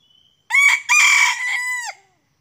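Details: Junglefowl crowing while wild junglefowl are being lured, with two birds arriving: one harsh crow of about one and a half seconds, a short opening note, then a long sustained section ending in a falling tail, with silence around it.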